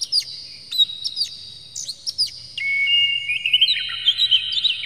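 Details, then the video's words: Oriental magpie-robin song played to make birds sing and become agitated. Scattered sharp down-slurred notes lead into a sustained, clear whistled phrase with quick warbled flourishes. "PANCINGAN KACER Buka Ekor KONSLET bongkar MATERI KASAR JERNIH agar KACER emosi"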